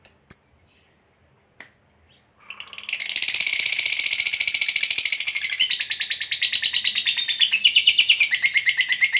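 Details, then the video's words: Lovebird ngekek, played to provoke a lazy, silent lovebird into singing: after a few sharp chirps and a pause, a long, rapid, buzzy high chatter runs on without a break for over six seconds. "Lovebird Bisu Malas Bunyi Bakalan Segera RESPON Terpancing EMOSI NGEKEK"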